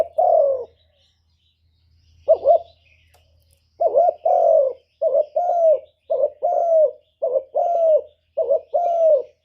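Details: Spotted dove used as a decoy bird, cooing to draw and provoke wild doves: one mellow low coo, a pause, then a quick string of about seven paired coos, each a short wavering note followed by a longer falling one.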